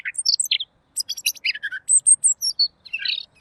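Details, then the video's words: Robin delivering clear song as a training recording for songbirds: quick chirps and squeaky notes, a thin high whistle series, then a rough burst near the end. "masteran burung Robin!! suaranya jernih"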